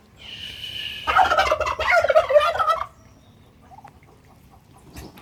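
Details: Domestic turkeys kept and raised by their keeper, answering him with a loud, rapid rattling gobble lasting under two seconds, preceded by a steady whistle-like tone, then near quiet with faint distant calls.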